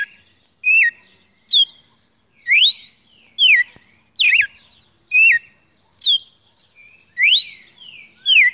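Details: Champion caged red-cowled cardinal held in hand, singing in the morning, December 2018: clear whistled notes, some rising and some falling with sharp bends, repeated about every three-quarters of a second in a steady series of about eleven phrases.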